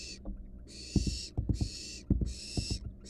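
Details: Nestling barn owl, wild, swallowing a rat in front of a nest box camera: three drawn-out raspy hisses, each about half a second, separated by sharp thuds and scuffling.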